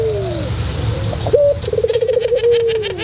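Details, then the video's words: Pelung-style song of a white Barbary dove: a falling coo, a short high note, then a rippling trill ending in a long held coo, with clicking sounds in the background. "masteran puter pelung putih manggung"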